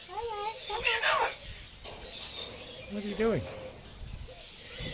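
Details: At Silverton, NSW, on 25/6/10, a talking corella gives a few voice-like wavering syllables, a rushed rising squawk, then a short bent, speech-like phrase, with gaps of quieter outdoor noise between.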